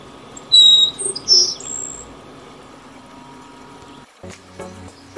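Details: High, thin whistled notes from a Grassland sparrow in the first two seconds. After a quiet gap, music with broad percussive sounds takes over.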